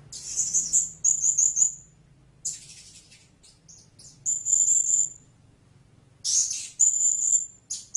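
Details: Blue-crowned hanging parrot giving bursts of shrill, squeaky trills and high thin whistled notes, separated by short silent gaps.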